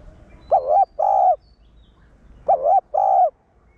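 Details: Decoy spotted dove singing the one-ending coo meant to stir up wild-caught caged birds: two phrases, each a soft curved coo followed by a level hollow coo, separated by a short pause, faint low background rumble.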